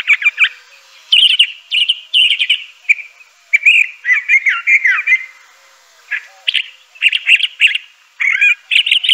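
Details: A Crissal thrasher delivers a long varied song of sweet, slurred phrases mixed with sharp chips and buzzy notes, grouped in bursts with brief gaps, in an otherwise quiet setting.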